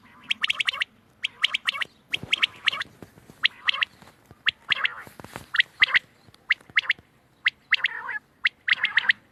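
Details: Quail calling, recorded 31 March 2024: bursts of short, sharp clicking notes in clusters of two to four, repeated roughly once a second, with brief pauses and harsher squawk-like notes in between.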